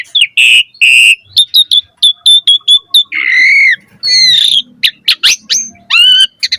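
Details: Asian pied starling singing a varied training song: harsh nasal notes, a rapid series of clipped whistles, drawn-out rising and falling buzzy phrases, then sharp clicks and a final stacked whistle.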